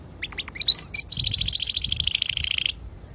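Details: Male canary singing to teach young canaries: a few sharp chirps, then a long fast high trill of rapidly repeated bright notes with a whistled slide, ending abruptly.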